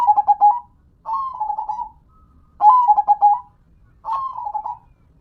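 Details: Perkutut lokal, local zebra dove, singing actively: four cooed phrases in steady turn, each a quick stutter of notes sliding into a short purr, near silence between.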